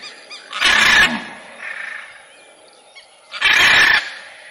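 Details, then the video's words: Two loud, rasping macaw screeches nearly three seconds apart, with a softer hoarse call between them and a low background hiss. "CANTO DA ARARA"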